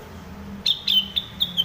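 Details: Sumatran leafbird (rengganis, cucak wilis) singing clearly: five crisp, high, slightly downslurred chirps spaced about a quarter second apart, with soft low hum beneath.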